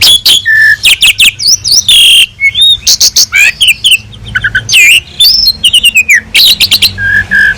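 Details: Asian pied starling singing at length with full, elaborate content, used as a master recording for other birds: dense stream of whistles, upward and downward slurs, harsh squawky bursts and rapid chips, nearly continuous.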